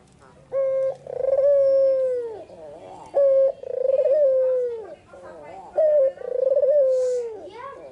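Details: Afternoon song of a white Barbary dove with red eyes: three repeated phrases, each a short steady coo followed by a long rolling, descending croon, about every two and a half seconds.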